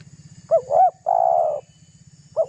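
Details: Spotted dove giving a rival-baiting lure call: two short hooked coos, then one long buzzy-burred note, and a single short coo starting again, with a faint low throb behind.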